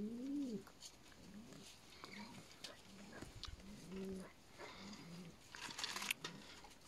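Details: Juvenile peahens giving low nasal mewing calls, one stronger arched note first, then softer short calls scattered through, with rustling and brief background noise.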